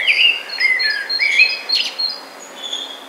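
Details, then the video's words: A clear, mellow blackbird phrase of several fluty, swooping notes opens the recording and fades into softer twitters. Faint high chirps from other birds sound behind it. "Il Merlo il suo canto melodioso."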